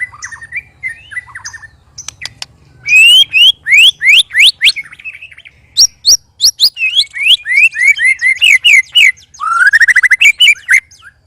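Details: Three white-rumped shamas set against each other to spar, singing strange, loud notes: a few soft warbles, then sharp clicks and a rapid series of loud, rising whistled notes, repeated about three times a second, ending in slurred chatter.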